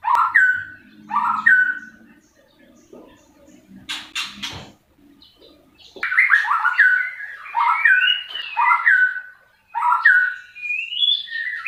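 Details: White-rumped shama singing daily: short rich whistled phrases, some rising and some falling, then a pause filled with dry clicks and a faint rattle, followed by a longer run of varied fluty notes.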